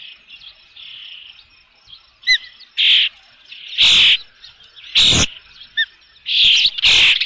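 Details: At Dunrovin Ranch on 3 June 2018, near 5 pm, an Osprey at the nest with a fish gives quiet thin whistles, broken by several loud, harsh, shrill bursts about a second apart.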